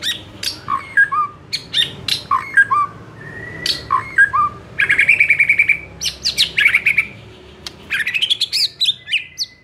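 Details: White-rumped shama song used as a training recording to provoke a reply: varied clicks and short whistles give way to a rapid stuttering trill, then bursts of sweeping, buzzy and rising notes.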